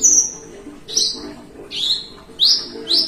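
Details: A relaxed kept Javan bushlark sings 'melung panjang', a long ringing song: clear, high, drawn-out whistles, some rising sharply, spaced about half a second to a second apart over a soft low hum.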